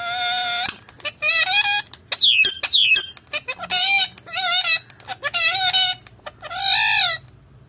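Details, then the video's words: A Malayalam-talking parrot talks in short, bright, speech-like bursts with rising and falling harmonic tones, about eight phrases over several seconds. "Malayalam talking parrot"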